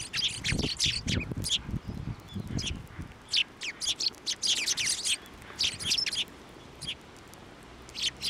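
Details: Sparrows coming to a hand to be fed at a Tenmangu shrine, 29 January 2024. Dense high chirping overlaps, with low rustling and handling noise in the first three seconds, then spaced chirps.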